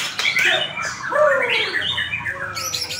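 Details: White-rumped shama singing in a contest, which it won, with a string of descending whistles, scratchy notes and chattering trills, backed by other birds and a low background drone.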